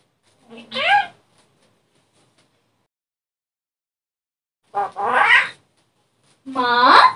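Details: Kept shalik myna imitating human speech, said to talk like a little boy; three short voiced bursts with bending, rising and falling tonal contours, separated by long silent gaps.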